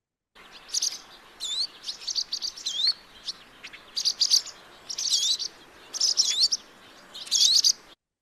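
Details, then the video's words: Barn Swallow alarm notes given when predators are near: sharp, high double-noted chirps and quick up-slurred whistles in bursts about every second, with fainter calls from more swallows behind them. "They also give distinctive alarm notes and whistles when predators are near, some of which are double noted."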